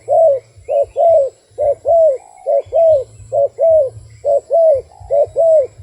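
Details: Wild dove cooing in a steady rhythm: paired mid-pitched coos, a short note then a longer falling one, repeated about once a second, over a low rumbling hum.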